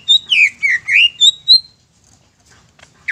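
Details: Greater green leafbird, kept caged, singing to provoke other birds: six loud, high, slurred whistles in quick succession over one and a half seconds, then near silence and a final short note.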